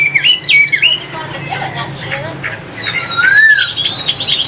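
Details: Caged hwamei from Vietnam giving scattered whistled notes, a few loud swoops early on, softer warbling, then a clear rising-and-falling whistle and a higher sustained note.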